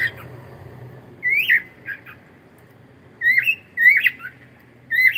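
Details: A pet cockatiel squawks in bursts: drawn-out rising screeches followed by short clipped notes, with pauses between, over a faint low indoor hum.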